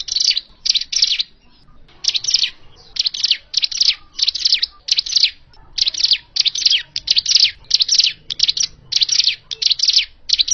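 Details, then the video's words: Hill prinia call for luring birds to a trap: a long, steady run of harsh, high chirping bursts, roughly two or three per second, after a short quiet gap near the start. "Suara Asli Ciblek gunung untuk pikat"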